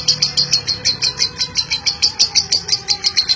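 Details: Lovebird in long 'ngeklek' chatter, a champion-style song meant to stimulate other lovebirds: a fast, steady string of sharp, high, ticking chirps, roughly three per second and even in loudness, over a faint low background hum.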